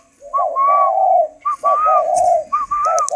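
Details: Captive spotted dove, described as the golden-necklace 'cườm vàng' form, giving three clear cooing phrases about a second apart. Each is a brief clipped note followed by a longer, mellow, slightly wavering hoot. Faint hiss sits in the background.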